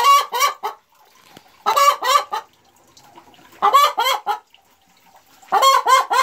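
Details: Boris Brown hen cackling proudly just after laying her first egg, recorded 4 December 2016: loud, harsh bursts of three or four clucks, repeated roughly every two seconds with quiet pauses between.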